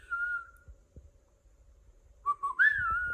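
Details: Cockatiel chirping: a clear, steady whistled note held for about half a second, a pause with faint low thumps, then a short note sliding into a higher, wavering whistle that settles and holds to the end.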